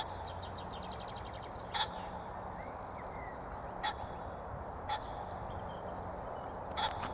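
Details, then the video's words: A pheasant calling gives four short, harsh, clipped calls at uneven gaps over seven seconds; a faint rattling bird call and a low background rumble come early. "pheasant calling"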